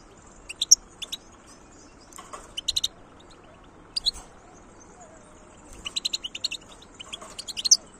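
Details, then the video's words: Sparse song from a wild European goldfinch in 2022: short clusters of sharp, high chirps and twitters scattered among quiet gaps, a longer rapid burst near the end, quiet background otherwise. "تغريد حسون خلوي"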